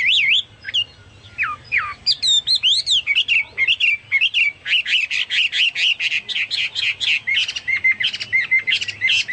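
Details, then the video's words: Chinese hwamei singing prolifically, its song likened to a Papuan or golden bulbul: loud varied slurred whistles swooping up and down, then a long run of quick, sharp repeated notes. "burung hoa mi seperti cucak Papua atau cucak mas gacor"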